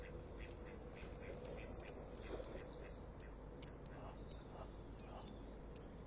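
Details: Common kingfisher at a nest wall on 25 February 2015, calling loudly as it flies off with or to the other kingfisher: shrill high whistled notes, first in a quick run of paired pulses, then single notes spaced about half a second apart, fading.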